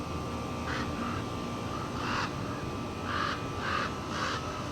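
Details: Common raven near its nest on a climbing path, calling in agitation to defend it: a loose, irregular run of about six rough, croaking caws, some doubled, with uneven gaps and a constant low background hum.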